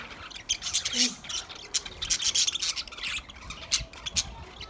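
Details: Caged budgerigars chirping: rapid bursts of harsh, scratchy high chatter and squawks, uneven in rhythm, with short quiet gaps between flurries.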